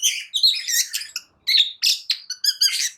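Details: Long-tailed shrike song used to rouse quiet shrikes into singing: a varied run of scratchy, harsh notes and bright harmonic whistles in bursts, with a brief pause near the middle.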